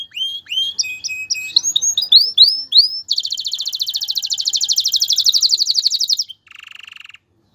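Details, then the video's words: Male canary singing to prepare a female for mating and nest building; a string of rising swept whistles, then a long rapid rolling trill for three seconds and a brief lower buzzy trill at the end. "اقوى تغريد ذكر الكناري لتجهيز انثى الكناري للتزاوج و تحفّزها على بناء العش CANTO CANÁRIO"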